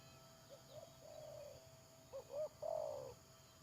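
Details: Spotted dove in a trapping session with a decoy bird, 31 May 2022: a quiet coo phrase, then a nearer, louder one of two short upturned notes and a long wavering croo, over steady low background hum.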